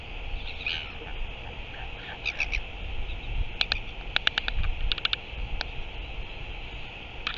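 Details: On 9 September 2023 a Northern royal albatross produces a soft chirp followed by runs of crisp rattling clicks in groups of three to six, with low rumbling noise underneath.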